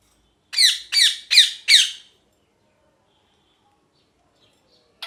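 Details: Rose-ringed parakeet kept as a pet, four rasping, downward-sliding screeches repeated roughly every third of a second, followed by about three seconds of quiet and a final short squawk.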